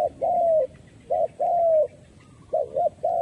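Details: Trapping decoy spotted dove calling to attract wild doves. Low coos come in paired units, a short note then a sustained, softly falling one, repeating at a relaxed pace, clear and close.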